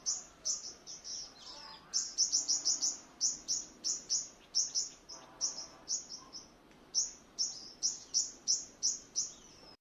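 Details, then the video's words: Rapid, sibilant, very high notes repeated in fast bursts for ten seconds, roughly three per second, from a white-bellied five-coloured sunbird kept as a decoy, morning exercise, Quảng Ngãi, Vietnam, 21 May 2020. "Hút mật 5 màu bụng trắng mồi"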